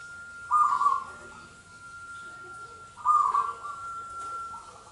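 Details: Two brief trilled coos from a local zebra dove, roughly two and a half seconds apart, with a continuous steady tone in the background.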